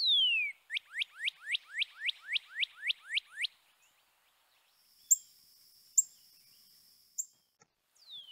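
A Northern Cardinal gives a long slurred whistle, then about eleven quick, loud down-slurred whistles, roughly three a second; thin high notes and a steady whine follow.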